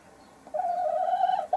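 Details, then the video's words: Sussex hen while laying an egg, dated 02 03 2017: after a quiet start, one long, steady, drawn-out nasal note held for about a second, with a brief sound at the end. "La Gallina Sussex poniendo un Huevo"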